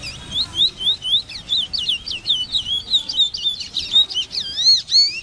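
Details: Large-billed seed-finch (Sporophila crassirostris) singing a rapid, continuous run of bright whistled notes and slurred, warbling phrases, high-pitched and varied, with a faint low background hum.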